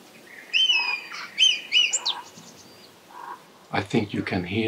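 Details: Red kites, three of them chasing each other in early morning sun after being whistled in to a photography blind, give high, wavering, drawn-out quavering whistles in quick succession, followed by a man speaking close by.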